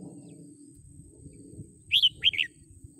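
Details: Red-whiskered bulbul in Malaysia giving a short burst of three or four bright, warbled whistled notes over about half a second, high and clear above a low background hum.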